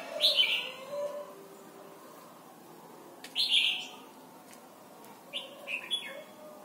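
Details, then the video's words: Red-whiskered bulbul, Thailand, in a recording meant for song training of young birds: warbled whistled phrases, a loud rich one midway and a tumbling series of short notes at the end. "นกปรอดหัวจุก Thailand Bird: เสียงดีมาก (สอนลูกไก่) เต็ม - ฝึกร้องเพลงร้องเพลงยอดหรือเสียงบิด"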